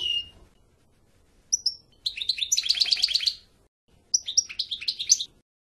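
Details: A European goldfinch gives a lone high note, then a quick burst of tinkling twitters and trills, a short pause, and another chattering phrase.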